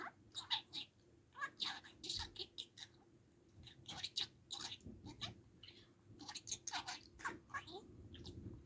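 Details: Pet budgerigar chattering in imitation of speech: quick runs of raspy, clipped syllables and small squeaks in uneven bursts over about nine seconds, with faint room noise behind.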